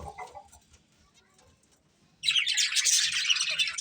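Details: Colourful budgerigars kept as pets: near silence with faint low rustling for two seconds, then a sudden burst of loud, high, scratchy chirping and warbling chatter from several birds.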